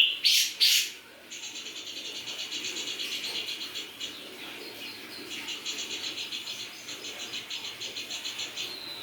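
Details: Grey-cheeked bulbul in full song: two loud bursts at the start, then long runs of fast, evenly pulsed high chattering notes that keep going steadily through the rest of the recording.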